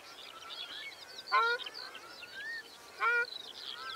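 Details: Two short nasal honks of a ruddy shelduck, about one and a half seconds apart, partly masked by a dense chorus of other birds whistling and chattering.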